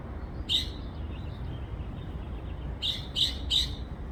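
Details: A backyard bird gives one sharp high chirp, pauses, then a quick run of three crisp chirps near the end, against a constant low hum.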